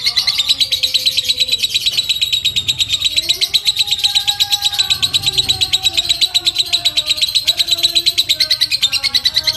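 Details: Lovebird in the long 'ngekek' chatter, used to provoke other lovebirds and to tutor other birds: an unbroken, rapid, high, buzzy trill of fast pulses lasting the whole stretch, with faint lower tones in the background.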